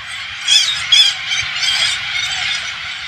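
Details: A farm in rural Thailand is overrun by hundreds of Alexandrine parakeets. A continuous wash of harsh flock chatter carries two brief, louder shrieks near the start.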